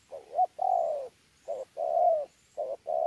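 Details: Contest cooing with bowing coos from a wild-caught spotted dove at Sa Thầy, 26 November 2019; low hooting phrases run close together, each short note followed by a long sustained falling coo.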